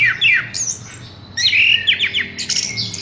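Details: Horsfield's bush lark, caged, giving quick downslurred whistles and scratchy squeaks in two bursts, followed by high buzzy notes, with a low hum in the background.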